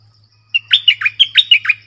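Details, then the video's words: A red-whiskered bulbul in a clear, doubled song style gives a fast chain of seven bright, bouncing warbled notes in little over a second, with a faint low hum underneath. "เสียงนกดอกแตงEp.97 Birdsound เพลงเบิ้ล/เสียงใสน่าฟังSuara pikat merbah lekir"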